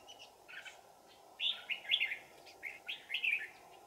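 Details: Cold-afternoon mountain trapping on 15 December 2018, with a red-whiskered bulbul as a decoy calling in wild birds; a run of five or six rich, bubbling warbled phrases over a continuous insect buzz.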